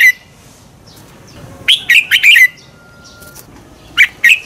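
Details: Bulbul of the red-whiskered kind giving training song for competitive singing: a brief note, a gap, then a lively cluster of four bright slurred chirps, followed by a faint thin whistle and three more notes.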